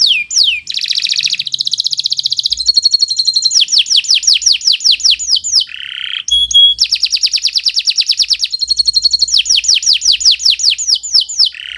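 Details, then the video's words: Kenari canary song for tutoring birds; alternating runs of fast high trills and descending whistled sweeps, with a brief buzzy note midway, continuous and loud throughout. "Kicau Burung Kenari 116 II GACOR PANJANG Cocok untuk Masteran"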